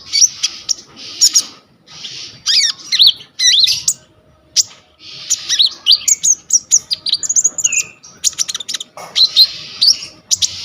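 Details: Phone recording of a konin, or coconut lorikeet, in full varied song meant as a model for training songbirds: dense runs of shrill buzzy notes, quick upslurred whistles and clicks with only brief gaps.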